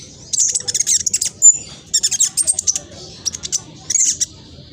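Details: East Javan speckled juvenile black sunbird, Indonesia, singing a quick, scratchy lure song to make other birds reply. Dense high twittering phrases alternate with brief gaps, including one sharp down-slurred whistle.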